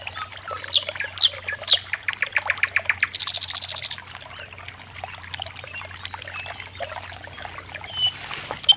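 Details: Loud common nightingale song: three sharp descending strokes, then an accelerating string of repeated notes that becomes a dense high buzzy trill lasting about a second, followed by quieter scattered chirps and whistles.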